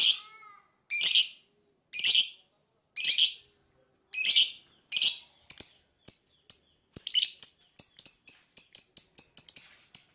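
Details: Lovebird lure song opening with a few faint whistles, then harsh buzzy bursts about once a second that turn into quicker, shriller chirps coming faster and faster toward the end.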